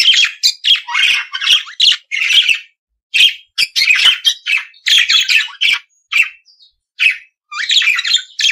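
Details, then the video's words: Australian budgerigar chattering in a steady stream of short scratchy chirps, squeaks and buzzy notes with brief gaps between bursts. "periquito Austráliano/deixe seus pássaros 🐦 mais animado."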